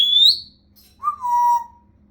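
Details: Talking African grey parrot indoors, known for mimicking fart noises, laughing and talking: a high whistle that rises briefly, then after a pause a lower clear whistle that slides gently down and holds.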